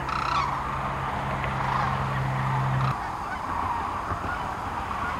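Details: Sandhill cranes massed on the Platte River in central Nebraska, mid-March 2009, during spring migration; a close rattling call opens over a dense chorus of distant birds, with a low steady hum for the first three seconds.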